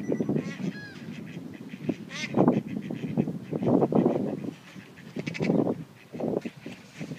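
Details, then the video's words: Ducks quacking: loud, harsh, nasal bursts come in irregular clusters of several calls, with short quiet gaps between groups and a few higher, thinner squawks near the start. "Quacking Ducks"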